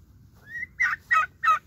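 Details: Young turkeys calling: a thin, rising whistled note, then three short, harsh, buzzy calls spaced about a third of a second apart, over a low background hum.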